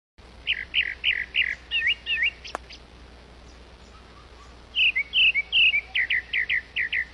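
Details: A grey-backed thrush feeding her babies; short, high chirps come in quick runs of seven or eight, a pause of about two seconds, then another brisk run. Little else is heard.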